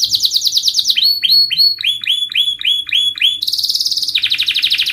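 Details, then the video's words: Canary training song for young canaries learning to sing: a long, dense canary roll of rapid buzzy trills, shifting between high trilled tours and repeated downward-sweeping chirps, loud and continuous. "KENARI GACOR PANJANG Rol Rapat EMOSI Cuit cuit Ngerol AMPUH utk Pancingan kenari paud belajar bunyi"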